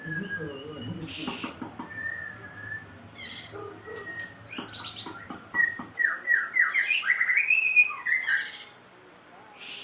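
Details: White-rumped shama song mixing short buzzy bursts with fluting whistles, ending in a run of rapid descending slurred notes; low background murmur during the first half.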